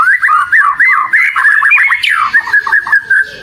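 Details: Kacer, the oriental magpie-robin, in vigorous bait song. Rapid twittering runs of short looping whistles weave together, broken by one sharp upward sweep near the middle, over a faint low hum.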